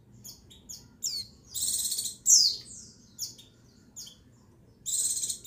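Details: High, thin female white-eye call used to excite males, 22/6/21: quick chips and slurred notes around two buzzy trills, with one bright descending squeak between them.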